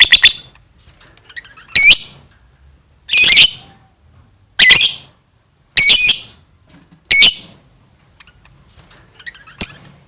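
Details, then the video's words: Lovebird, said to be gacor, uttering harsh, high, buzzy squawks, each about half a second long, repeated roughly every one to one and a half seconds with short gaps of silence. "suaranya gacor love bird"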